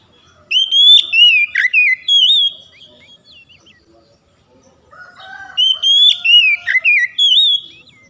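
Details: Oriental magpie-robin singing to spur lazy, untrained birds into song: two loud whistled phrases, about four seconds apart, each built from bright sliding notes with a sharp downward swoop in the middle and soft twittering between.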